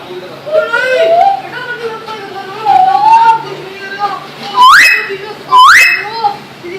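A myna gives harsh, speech-like gliding notes, then two loud, sharp up-sweeping whistles about a second apart, its imitation of a car horn.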